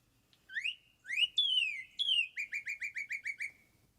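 Northern Cardinal: two rising whistles and two long down-slurred whistles, then a quick run of about eight short sliding notes, all clear and loud.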